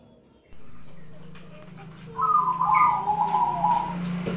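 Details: Zebra dove song, the kind kept for contests and daily listening: after a quiet start with a low steady hum, a single rolling, trilled cooing phrase rises for about two seconds and then fades.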